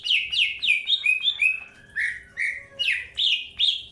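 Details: Greater green leafbird in captivity during early pairing: rapid chain of descending whistled notes, some shorter and higher, then a steady row of loud downslurs about two per second.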